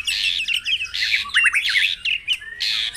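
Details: White-rumped shama lure song for caged birds at morning dewing: bursts of harsh, buzzy high phrases alternating with quick twisting whistled notes and short pauses, loud and busy throughout.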